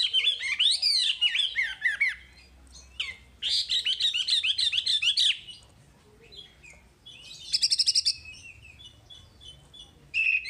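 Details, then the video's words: Olive-backed tailorbird (wambi) gives bursts of fast, high, twittering notes that rise and fall, in phrases of about two seconds broken by short pauses. "Masteran Wambi paling istimewa full materi"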